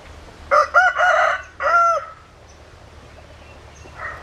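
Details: A rooster gives a loud crow in two bursts, a rough rising opening and then a held, falling note, ending after about a second and a half. Quiet background follows, with a faint call at the end.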